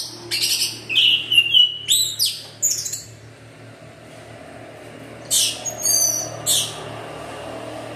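Orange-headed thrush singing loud, varied phrases of sweet whistles and rapid chattering notes in short bursts, with a steady low hum in the background.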